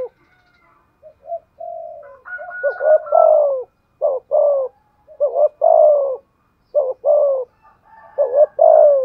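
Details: Decoy spotted dove in thúc gù cooing, giọng thổ style. Begins with soft, low level notes, then builds into repeated phrases of two clipped notes followed by a sustained, downward-sliding coo, with a faint thin tone overhead.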